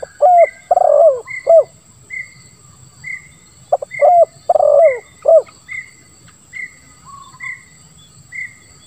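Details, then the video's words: Spotted dove calling in a grating style with one 'kuk': two phrases of short hooked notes around a long burred downward coo, against steady thin whistles from another bird repeating about twice a second. "Suara Tekukur Terbaru ll Lambung Kuk 1 Suara Ngeruk"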